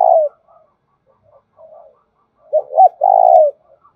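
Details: Lure cooing of a spotted dove in the "thổ đồng" voice to provoke wild doves: the tail of one coo, soft low murmurs, then a full phrase of two short hoots and a long coo.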